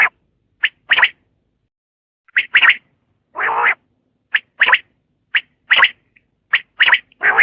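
A common quail gives its sharp, liquid three-note call, repeated in short bursts.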